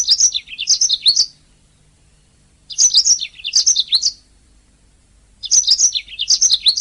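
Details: Canary song used to train singing canaries: three similar bursts of high, rapid twittering about every two and a half seconds, separated by silence.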